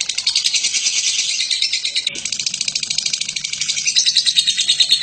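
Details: A lovebird's extended ngekek, kept as a master recording for teaching other birds: high, harsh chattering pulses packed several per second, running without pause and swelling toward the finish.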